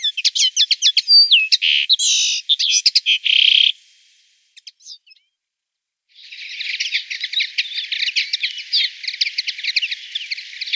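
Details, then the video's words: Common linnet singing in the background: loud, varied whistles and rattling trills, a brief pause, then a long stretch of fast, high, twittering chatter. "Canary & Linnet: Watercolor process with bird singing"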